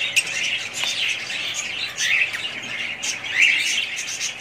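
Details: Budgie group calling: quick, irregular high chirps and warbling twitters pile over one another, with sharper clicks now and then.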